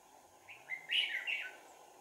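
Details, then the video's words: Trapping decoy red-whiskered bulbul, recorded 4 April 2019: a single quick warbled phrase of a few bright notes ending in a falling slur, over steady low hum. "Bẫy chào mào Sàng cầu - đánh đuôi"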